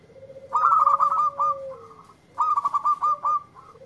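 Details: Zebra dove, a local bird, replying straight away to a lure recording: two quick phrases of bubbling, stuttered coos, each over a sliding low tone, about two seconds apart.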